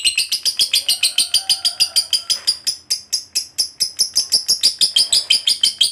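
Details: Lovebird, a fighter-type bird, giving a long ngekek song used to stimulate other lovebirds to sing: rapid harsh chattering notes repeated about three per second, steady throughout, with a faint whistled tone early on.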